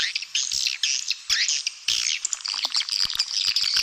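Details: Swiftlets in a dense, high twittering chorus of rapid chirps and buzzy trills overlapping without pauses; a stereo calling-sound recording used to lure swiftlets to nest.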